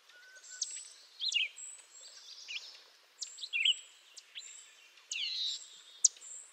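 Canada jay giving a medley of thin, high squeaks, chirps and short slurred whistles in irregular bursts about every second, over faint background hiss.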